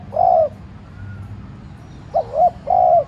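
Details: Decoy spotted dove giving a gentle urging coo meant to stir wild doves into calling; a mellow low coo, then a short two-part note and a longer drawn-out hoot, over a quiet low rumble.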